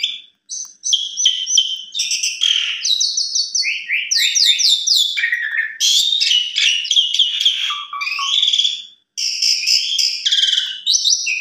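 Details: Asian pied starling pouring out a dense evening lure song for training young birds, a nearly continuous medley of shrill whistles, scratchy rasping trills and chattering notes, broken by two short silences.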